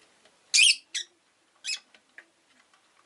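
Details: Rosy-faced lovebird gives harsh, high, buzzy chirps in short bursts, two close together, then another about a second later, with faint softer squeaks between, amid possible town noise of cars, motorbikes and bicycles.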